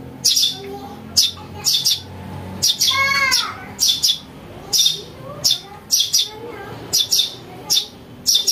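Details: Begging-style calls of a house sparrow chick used for luring birds: high, harsh chirps in pairs, plus one buzzy descending trill midway, over a quiet low hum.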